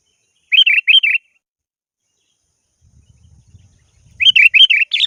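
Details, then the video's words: Sooty-headed bulbul calling a rival, giving two bursts of bubbly, chattering double notes separated by a pause, with a faint low rumble between the bursts. "Suara burung kutilang gacor memanggil lawan"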